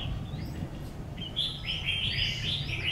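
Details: Red-whiskered bulbul, a newly acquired decoy bird being tested near a house, bursting into a quick series of clear, bright whistled notes midway through. Low rumbling noise is heard throughout.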